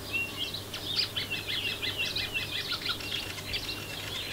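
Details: Common Starling in full breeding-season song from atop garden feeders, with a busy jumble of whistles, clicks and rattling notes and mimicked phrases, possibly Jackdaw and Wren, woven in over a faint background hiss.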